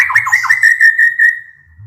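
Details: Brief white-rumped shama phrase from 'gacor' song with 'tembakan' bursts, aimed at stirring other shamas to sing: a few quick falling notes merge into a sustained clear whistle that fades out.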